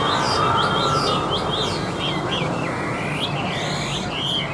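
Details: Chinese hwamei, a tame caged bird placed on a table to sing, delivers a rich run of looping whistled notes and quick slurred trills over a constant background rumble.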